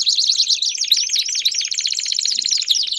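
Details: Belgian canary song, loud and unbroken: a fast, high rattling trill with bright whistled accents.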